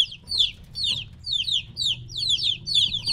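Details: Three-week-old chicks kept apart from their mother call loudly, each peep a sharp downward-sliding chirp, several birds overlapping in quick clusters about twice a second, faint low rumble beneath.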